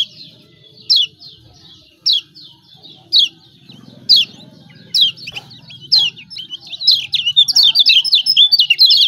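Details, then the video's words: Lemon-bellied white-eye from Lombok used as a singing lure for reluctant birds; sharp high 'ciak' chirps repeated about once a second, then breaking into a quick run of twittering notes at the close, with a faint low hum. "CIAK CIAK JOSS KECIAL KUNING AMPUH||PANCINGAN KECIAL MALAS BUNYI||"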